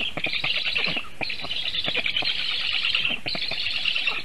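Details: Black stork chicks at a nest in Sigulda region, Latvia, on 1 August 2021 at 4:51 PM, defending themselves after a goshawk landed on the nest tree during feeding. A continuous high, hissing chorus runs through, with scattered clattering knocks.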